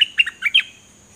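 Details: Dok taeng bird singing in a 2020 recording meant for teaching young birds: a brief burst of four or five high, slurred chirps that fall and rise in pitch, ending abruptly.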